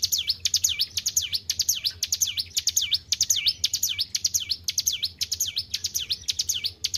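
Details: Hill prinia in vigorous song after being well kept. Sharp high notes each fall and rise in a V shape, following one another about twice per second in a continuous, lively run over a soft low hum.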